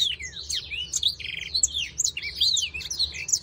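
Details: Black-throated canary song during breeding: rapid high whistles and slurred chirps with a brief buzzy rattle, delivered in a bright, continuous flow.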